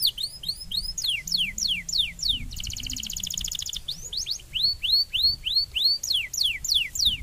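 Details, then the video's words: Stimulating canary song for training, repeated falling whistles sung about three a second, a fast buzzy rolled trill in the middle, then more arched whistled notes, over a faint low hum. "The song canary therapy to train the lesser fighter mentality"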